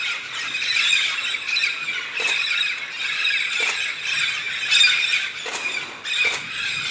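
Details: Noisy flock of red-spectacled parrots filling the sky over the Santa Catarina highlands, Brazil, during their yearly migration to eat araucaria seeds; overlapping raucous screeches punctuated by several sharp, loud squawks.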